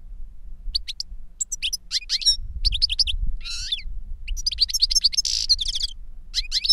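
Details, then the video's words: An older goldfinch sings to teach a younger goldfinch: continuous lively twittering of high chips, slurred whistles, rasping trills and buzzy bursts, a brief pause, then more tinkling phrases to the end. "Older GOLDFINCH SINGING to Teach Younger Goldfinch"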